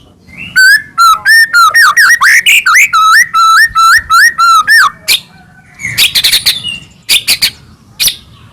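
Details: White-rumped shama singing to agitate other shamas into song: a steady chain of clear, wavering whistled notes, about three per second, followed by sparser high, sharp chattering notes.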